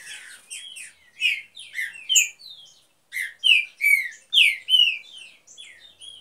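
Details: Breeding pair of green-winged saltators singing in an aviary, giving clear, loud whistled notes and slurred phrases, with a brief pause near the middle before a louder run of notes.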